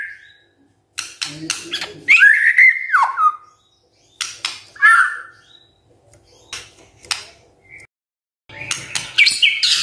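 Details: White-rumped shama morning lure song intended to get silent birds singing: scattered clicks and chips with a few loud slurred whistles, separated by quiet gaps.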